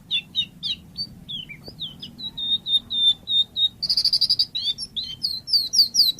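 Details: High, thin phrases from a white-rumped shama: slurred whistles and a steady series of clear notes, a quick buzzy trill, then rising high whistles.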